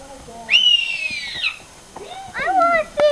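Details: A hawk at Wye Marsh sanctuary gives a long, hoarse, high screech that slurs slightly downward for about a second, followed by lower, wavering calls or voices.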